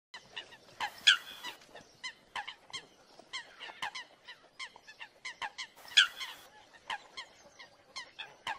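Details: American coots (Fulica americana) fighting, trading fight calls: sharp, nasal clucks and pips in a rapid, irregular chatter, with two loud harsh honks about five seconds apart standing out above the rest.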